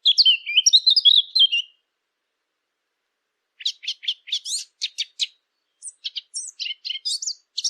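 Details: Eurasian blackcap song for hunting call machines: a quick warbled phrase of whistled notes, a long silence, then a series of sharp ticking and chattering notes at a brisk, uneven pace.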